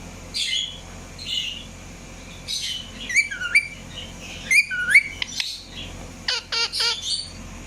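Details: Irregular squawks and upslurred whistled chirps from an Indian ringneck parakeet, some harsh and scratchy, spaced with pauses, ending in a cluster of sharp clicking calls.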